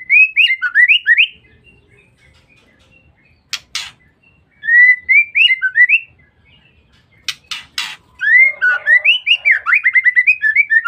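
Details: Female white-rumped shama calling to lure or provoke males: short rising whistled notes near the same pitch in quick runs, broken by harsh broadband bursts, ending in a fast string of chattering chirps.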